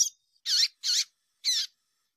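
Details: Female Double-collared Seedeater giving calls meant to get males singing; a faint short note followed by three harsh, squeaky high calls, the last after a slightly longer gap.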